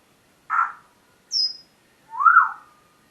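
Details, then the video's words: Morning vocalizing from a pet parrot indoors: a short rough squawk, a high whistled slur dropping in pitch, then a longer arched, buzzy squawk, three separate sounds in quick succession. "My parrots morning talking session"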